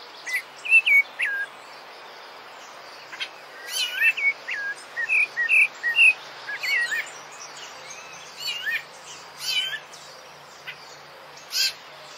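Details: Rufous-bellied thrush (sabiá-laranjeira, Turdus rufiventris) sings clear, fluting phrases of varied whistles, rising and falling, in short bursts with pauses between, over a faint background of other birds and insects.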